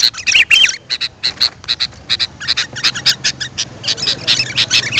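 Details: Sooty-headed bulbul lure calls for wild birds: a clear, looping whistled phrase opens, followed by steady, dense harsh chattering notes that continue to the end.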